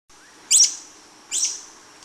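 A hummingbird gives two sharp, high, squeaky chips about a second apart, with a third just starting, over a faint steady high hiss.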